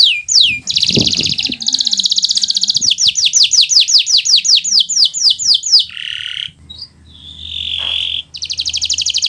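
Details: Kenari Nusantara canary in gacor, nonstop singing, used as a master recording for birds learning to sing: fast bright trills, a run of quick descending sweeps about four per second, then buzzy rolls and a drawn whistle, briefly broken by a low thump.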